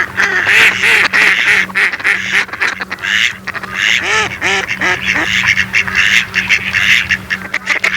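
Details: Several mallards calling together: harsh nasal quacks in short descending bursts mixed with busy chattering from other ducks, over an even low hum.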